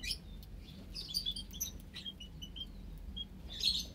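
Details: Captive Java sparrows sharing an aviary cage with several munias, white Java sparrows among them; quick high chirps and short whistled notes, denser bursts at start and end, steady low hum beneath.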